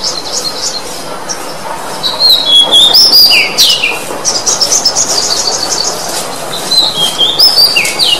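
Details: Oriental magpie-robin song played to stimulate a magpie-robin that has stopped singing. Clear whistled notes slide up and down in varied phrases, mixed with scratchy chatter, over steady background hiss.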